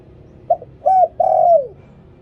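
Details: Decoy song of a spotted dove in the liu tan style: a quick coo, a bowed coo, and a sustained coo that bends downward, sung once with quiet low background noise.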